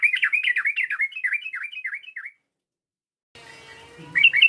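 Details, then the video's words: Yellow-vented bulbul provoking a rival: a quick run of bright, downward-slurred chirps lasting about two seconds, then silence and a faint hum before a few louder notes. "PANGGILAN TRUCUK ini memancing emosi lawan, TRUCUKAN langsung BUNYI GACOR"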